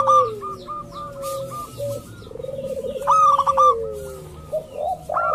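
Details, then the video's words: Local zebra dove calls meant to lure other doves into calling: a long falling coo, short clipped notes in series, a fast pulsed trill, then louder bright clipped notes and ending coos. "pancingan burung perkutut lokal ampuh , perkutut lokal jago memancing lawan bunyi"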